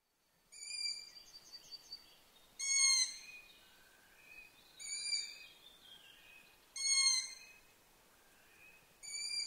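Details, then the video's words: Brood of young long-eared owls calling: loud, harsh, squealing notes rich in overtones, repeated about every two seconds. Fainter thin whistles and higher squeaks are heard between them against a quiet background. "Tuossa selän takana kuusikossa ääntelee sarvipöllöpoikue."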